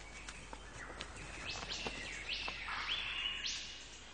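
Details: Male Superb Lyrebird singing in forest in southeastern Australia to attract females, mimicking other birds' songs, gives a rich run of bright, sliding whistles and sharp notes, rising and falling, with a long level whistle near the end.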